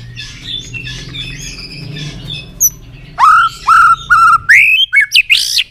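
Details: White-rumped shama sung to fire up trained birds: after a low murmuring background, loud clear whistles rise sharply and repeat in quick bursts, each about half a second apart, ending in bright upswept notes.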